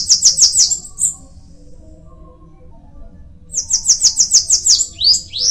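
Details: A short high trill from a Bananaquit, a pause, then a longer phrase of rapid, evenly repeated buzzy notes finishing with upward-sweeping squeaks.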